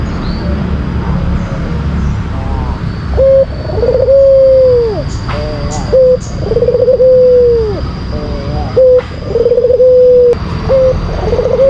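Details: Lure song of a white collared dove, a bird kept as a pet and for competitions: short coos and rolling trilled phrases ending in long falling notes, with faint clicks in the background.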